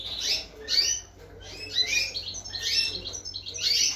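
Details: A 2022 goldfinch × canary hybrid near the end of its moult gives bright, high chirping phrases with quick rising and falling slurs, each burst lasting under a second with short pauses between, against a faint low hum.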